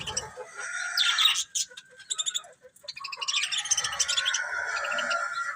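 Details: Colourful budgies warbling and chirping, a continuous scratchy chatter mixed with short tonal whistles, broken by a brief quieter stretch of clicking notes.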